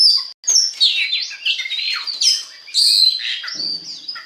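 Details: Oriental magpie-robin (kacer) lure song to encourage other kacer to sing: loud, varied whistled phrases with sliding notes and sharp chips, a brief silence near the start, faint low rattle near the end.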